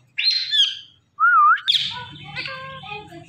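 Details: Talking Indian ringneck parakeet: a high buzzy trill, a brief pause, then a wavering whistled note rising into a harsh squawk, followed by softer babbling syllables.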